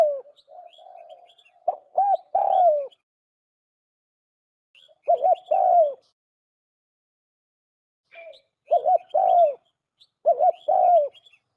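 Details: Pure Lao-style calls from a trapped turtle dove: a soft low warble, then about four phrases of paired quick notes ending in a drawn-out, descending coo, with long gaps. Faint high bird chirps are heard around the phrases.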